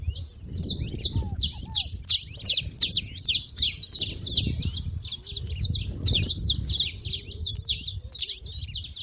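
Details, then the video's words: A flock of saffron finches noisy at a feeder: fast, overlapping high chips and downslurred tweets, nearly three per second, with low background rumble. "canário da terra fazendo barulho na seva"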